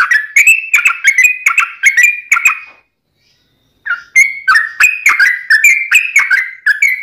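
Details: Yellow-vented bulbul giving a long, unbroken ropelan song used for training birds and luring wild bulbuls: bubbly, liquid whistled notes near mid pitch with sharp clicky tops, tumbling rapidly, broken by one short silence midway.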